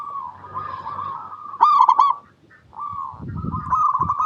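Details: A zebra dove of local stock gives its lure song to set other doves singing: one sharp burst of rapid harmonic coo notes amid softer, continuous rolling coos, with a brief pause and a low rumble.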